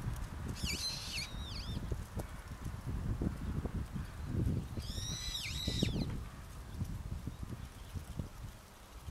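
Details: Brown-eared bulbuls at a rental farm opposite Momoyama Park, Koyasan, Japan, call back and forth with loud, shrill rising-and-falling calls in two bursts a few seconds apart, over steady low rumbling wind or background noise.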